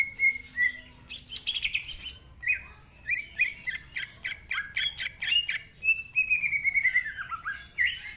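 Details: Greater green leafbird with a harsh, rough-voiced song: a few clear whistles, a scratchy burst, then rapid slurred chattering notes ending in long drawn, descending whistles.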